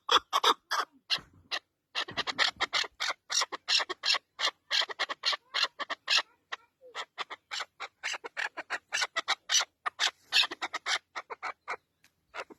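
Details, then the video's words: Loud partridge calls: rapid, uneven bursts of rasping, squawking notes with short pauses between runs. "Cutest Partridge bird"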